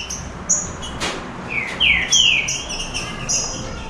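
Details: Green-winged saltators, a trio of caged birds in a singing duel, give a few slurred descending whistles midway, with thin high notes and faint clicks and background noise around them.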